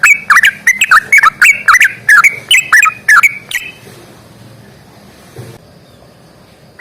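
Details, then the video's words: Sooty-headed bulbul singing a fighting-style rapid series: about twelve sharp, bright chirps with falling tails over three and a half seconds, then near silence with a faint low thump. "trucukan gacor tarung ROPEL PANJANG"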